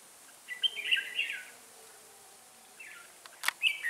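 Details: Bulbul, red-whiskered, serving as a decoy for trapping, sings a cheerful warbled phrase of sliding whistles, then after a short gap another phrase, broken by a sharp click.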